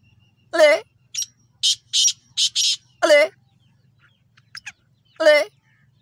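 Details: Black francolin chicks: harsh ringing calls with many rapid stacked pulses, repeated about every two and a half seconds, with shorter high buzzy bursts between them and a low hum underneath.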